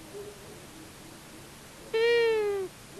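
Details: Long-eared owl, a male and female visiting a common buzzard nest at Tiszavasvári, Hungary, on 23 March 2022, caught on a nest cam, gives one drawn-out, nasal, slightly falling mewing call under a second long over a quiet background.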